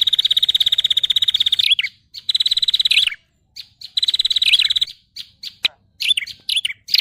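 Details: Indonesian lure for catching every kind of prinia: long rapid buzzy trills ending in swooping dips, repeated with gaps, followed by scattered short chirps and fragments of chatter.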